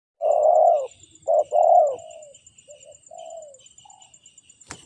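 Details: Spotted dove, called tekukur in Indonesia and described as having a fighter's temperament, gives a loud, mellow, low coo. A rapid two-part coo follows, then softer falling notes. A faint, steady high whine runs throughout, and a sharp click sounds at the end.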